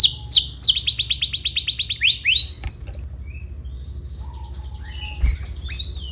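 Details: Canary used to train young birds, opening with a fast trill of sweeping notes, then fading to a few scattered high chirps with quiet gaps.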